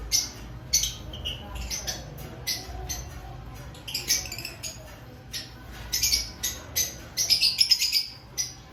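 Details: Aviary lovebirds before the breeding season calling with short, harsh, high squawks at irregular intervals, ending in a fast cluster of shrill notes.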